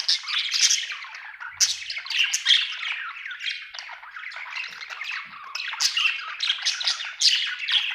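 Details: Happy pet budgie warbling without pause, a dense run of rasping squawks and twittering chirps that swells and fades across the whole stretch.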